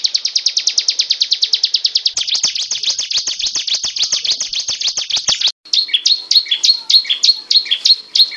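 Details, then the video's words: Hill prinia (ciblek gunung) singing continuously in the rapid drilling 'ngebren' style: a fast, even trill of high notes, then a denser buzzy rattle, then spaced, sharp, high chirps after a short break. "Suara Burung Ciblek Gunung Gacor Ngebren"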